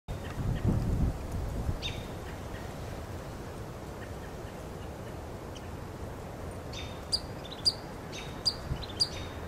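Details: Pygmy nuthatch on a Monterey pine in Del Monte Forest, California, giving shrill staccato piping: a scattered series of short, high pips near the end, over steady wind-like rumble with a low thump at the start.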